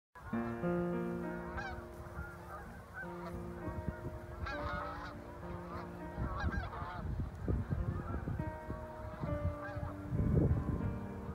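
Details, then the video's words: Geese in flocks flying over Lake Okabena in Worthington, Minnesota, giving repeated nasal honks, many birds calling at once in an overlapping, irregular chorus with a low rumbling background. "Geese Over Lake Okabena"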